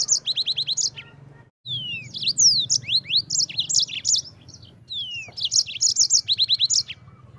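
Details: Yellow-fronted canary delivering rolling trills to tutor white-eyes: a rapid series of repeated high notes, a brief gap, then long curving whistles, bursts of sharp chirps, and another fast repeated run.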